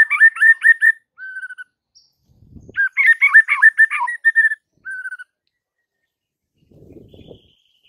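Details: White-rumped shama song used to stir other shamas into singing: rapid clusters of whistled and warbled notes in two main bursts with short held whistles between them, and faint low rustling near the end.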